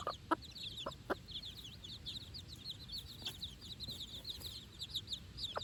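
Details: Chicks aged four days, first time out on fresh grass beside their mother; dense high peeping runs throughout, with sharp pecking or tapping clicks clustered early and one near the end.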